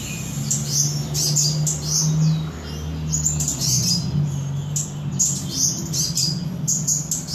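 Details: Blood-breasted flowerpecker from Samarinda gives thin, high, sharp chirps and short twittering phrases in quick bursts over a steady low mechanical hum.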